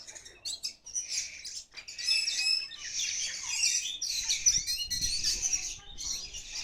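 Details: Kacer Poci Oriental magpie-robin singing energetically (gacor) after release: a dense, continuous stream of rapid high chirps, trills and thin whistles, near-unbroken for several seconds, with a soft low rumble in the background.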